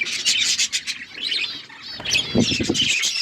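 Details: Budgies kept as pets twitter in a fast, high, buzzy warble, with a soft rubbing or scraping sound joining near the end.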